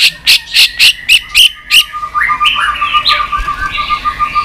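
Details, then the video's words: White-rumped shama with continuous 'tạch' singing, used to stir up a low-spirited bird: a rapid run of about six sharp, evenly spaced high notes, then sliding whistled phrases over a steady low whistle. "Chòe lửa tạch liên tục"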